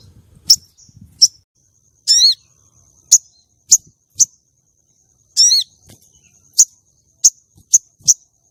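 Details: Common iora female calling to stir a male for song contests: sharp high chips at irregular intervals, with two stacked descending buzzy phrases, over a faint steady high tone.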